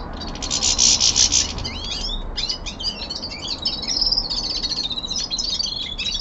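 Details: Common linnet kept at home, a young male in winter song, giving a fast twittering run of high buzzy trills and chirps, with a dense rattling burst at the start and quick, varied notes that follow.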